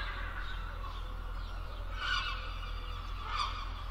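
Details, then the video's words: Gull calls: two harsh, honking cries about a second apart, nasal and slightly falling, over a steady low rumble of wind or surf. "Verso del gabbiano, che verso fa il gabbiano"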